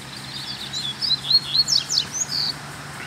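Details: Free-flying black Double-collared seedeater giving a 'mexida' song, recorded on the way home after a Sunday outing: quick high whistled and slurred notes, some sharply rising or falling, in a busy run of about two seconds over steady low background hum.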